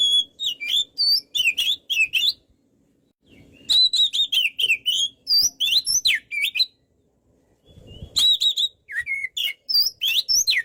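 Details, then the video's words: Energetic kacer, the Oriental magpie-robin, singing as a master recording for bird training: three rapid runs of chirpy whistles and swooping slurred notes, split by two short pauses, with a soft steady hum behind. "MASTERAN BURUNG KACER GACOR SEKALI"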